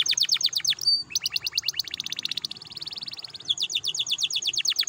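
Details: Canary song serving to stir other canaries to sing: rapid repeated high notes in shifting tours, a brief whistle, a fast buzzy rattle, then quick downward sweeps.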